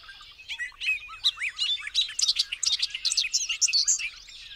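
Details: Bobolink singing a rapid, bubbling jumble of high metallic notes, starting with thin whistles and swelling into a dense burst of twangy, tumbling phrases that runs over four seconds.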